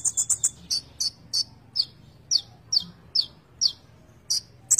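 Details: Konin, a Van Hasselt's sunbird, giving gacor isian song: quick opening chips, then a steady series of short, sharp downslurred high notes, roughly two per second.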